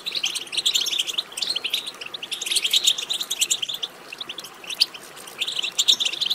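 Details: European goldfinch betbeta, a twittering chatter meant to make goldfinches sing; dense, fast stream of jingling chirps and trills, pausing briefly near four seconds before resuming strongly.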